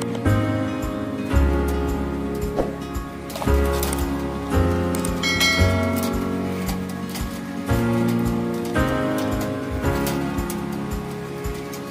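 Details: Only instrumental music with steady held chords and a deep bass line is heard; no animal calls.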